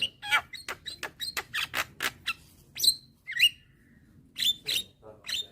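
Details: Young white-eyed Javan myna, head bobbing, calling to lure hybrid mynas. A rapid string of sharp clicks leads into a few separate piercing whistled notes.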